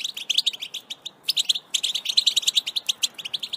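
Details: Wild European goldfinch singing in nature in 2021, in the betbeta song style. A fast, dense stream of high tinkling twitters and buzzy trills runs almost without a break, with one brief pause.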